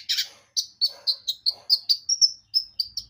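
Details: Javan white-eye song used as a lure to prompt other birds to sing: a steady run of about a dozen short, high, sharp chirps, evenly spaced about a quarter second apart, some sweeping slightly upward, with no other sounds.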